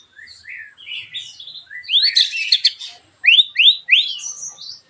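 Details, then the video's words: Captive white-rumped shama in full song, in the sharp, harsh style kept to provoke other shamas into singing. Loud, clear whistled phrases start with sweeping slurs, then a buzzy burst, then three quick rising whistles. "TEMBAKAN TAJAM KASAR burung MURAI BATU gacorr"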